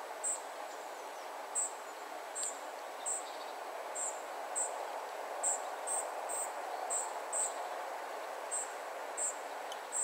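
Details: Thin, piercing short calls from a spotted flycatcher family repeat steadily but unevenly, about every half to one second, above a constant low background rush.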